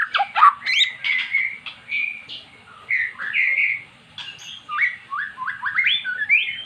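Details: Magpie-robin in a cage, previously mute, singing in response to played magpie-robin song: sweet whistled notes, rising and falling slides, and quick clipped phrases, delivered in bursts with brief pauses.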